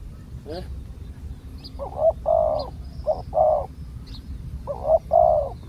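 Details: Spotted dove, wild, with a deep coo, heard during decoy luring: paired hollow coos, a short note then a longer one, repeated three times with pauses, a few faint high chirps around them.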